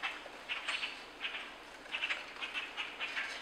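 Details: Young Common Grackle from Quebec calling with rough, buzzy chip notes in quick uneven bursts, several closely bunched, heard over faint steady background hiss.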